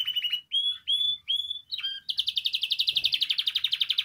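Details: A Spanish timbrado canary sings for song training, opening with four clear, level whistled notes before breaking into a quick pulsing trill that continues to the end.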